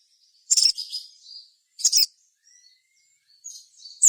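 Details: Sogon song used to coax other sogon to sing: two bursts of shrill chips trailing into soft warbled notes, then faint thin whistles and a final sharp note.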